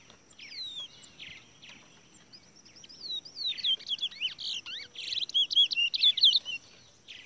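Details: Towa towa seed finch singing caged at a bird race: sweet looping whistles, then a rising series of quick warbled notes growing louder toward the end, clear over a faint steady whine.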